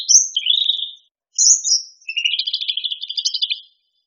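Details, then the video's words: Cucak rante song: a sharp high whistle dropping into a rich warble, another high slurred note, then a fast rattling chatter of rapidly repeated notes lasting over a second. "SUARA BURUNG CUCAK RANTE- CUCAK RANTING"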